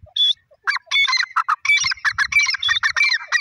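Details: Grey francolin, known locally as Irani teetar, recorded in Pakistan, giving a fast run of loud, hoarse, squeaky notes in quick succession after a brief opening note, with faint low rumbling underneath.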